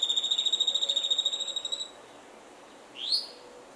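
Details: Black-cheeked Gnateater: a fast, even trill of high pulsed notes lasting almost two seconds, steadily fading, then a pause and a single sharp upslurred note; quiet background.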